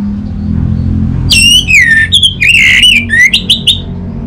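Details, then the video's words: Orange-headed thrush whistling in a stimulus song for getting silent birds singing, Singaraja, Bali. A strong downward-sliding whistle leads into a string of fluty, wavering notes and short clipped chirps, with steady low hum beneath. "Burung ANIS MERAH Macetan Terpancing Gacor Didengarkan Kicauan Ini"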